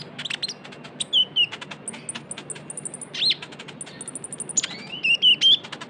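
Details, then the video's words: Young kolibri ninja sunbird in chattering, vocal lure sound: high, sharp chirps and short twittering notes in quick bursts, with rapid ticking clicks and brief pauses between phrases. "PANCINGAN KONIN TROTOL GACOR (KOLIBRI NINJA)"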